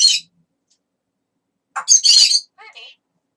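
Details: Pet talking parrot in a parrot room giving a short harsh, high squawk, then after a pause a cluster of loud grating bursts and a lower, broken chatter.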